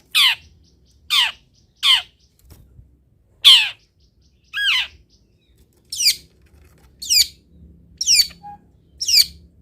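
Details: Long-tailed shrike master recording used to train other birds to sing: loud, raspy downslurred squawks in irregular series, one lower two-toned note midway, with short pauses between.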